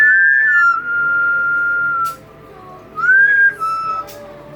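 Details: Pet double yellow-headed amazon parrot interacting with its owner at home, giving long sustained whistles that dip slightly and level off, then a second rising whistle after a short gap.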